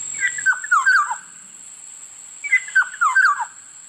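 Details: Black-naped oriole repeating the same fluty phrase twice, about two seconds apart, each a rapid series of four or five liquid whistles falling in pitch, over a faint steady high hum.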